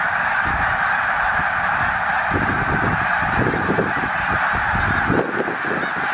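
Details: Massed snow geese, roughly 100,000 birds resting at Middle Creek wildlife refuge during northward migration, produce a steady wall of yelping honks, thick and unbroken, with low rumbling beneath.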